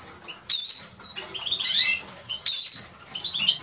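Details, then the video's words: ['Song of a Eurasian siskin (Spinus spinus): two loud, thin, falling whistles separated by a jumbled, squeaky twitter, all high-pitched.'] "Eurasian siskin Song"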